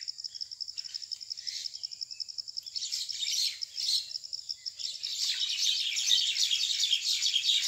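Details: Common mynas in a rural area fighting over a date palm nest hollow, evening of 6 May 2021: steady pulsing insect trill at first, then a loud burst of harsh, crowded rasping chatter building to a dense squabble.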